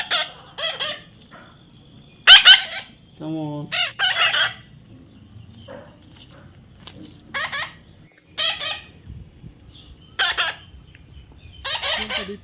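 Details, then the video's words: Baby parrot being tamed, repeated short harsh squawks at irregular intervals, some in quick pairs, with a man's coaxing voice briefly heard between them. "natural funny parrot sound"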